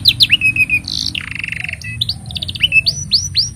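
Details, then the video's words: Canary singing a long, varied song used to train young canaries: quick rising chirps, a buzzy roll, a fast trill, then repeated upswept whistles about every quarter second, over low hum. "Kenari Gacor Panjang Ini Bagus Untuk Masteran Kenari Paud Dan Pancingan Kenari Bisu"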